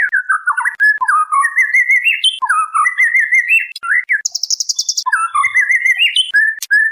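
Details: Female white-rumped shama calling the male, in a lure master recording: varied clear whistled phrases, many falling or stepping upward, with a harsh buzzy rattling burst near the middle and high thin notes above.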